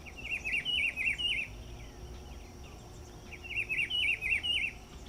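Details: Rufous-browed peppershrike (pitiguari) recorded in São Paulo, Brazil, sings a rich, warbled whistled phrase of about five looping notes, repeated after a three-second pause, over faint insect hiss; example of regional song dialects.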